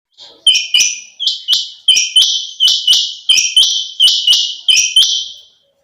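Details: Female quail, known locally as chinga batair, calling: loud, high, slightly buzzy notes, each with a sharp upward flick, repeated about nine times in under six seconds at a fairly steady pace, often in close pairs.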